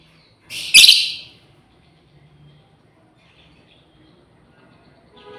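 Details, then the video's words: One strident, harsh screech from a female lovebird calling out to companions, under a second long, followed by near silence with faint distant chirps. "SUARA PEMANGGILAN BURUNG LOBEBIRD//BETINA MEMANGGIL KAWAN"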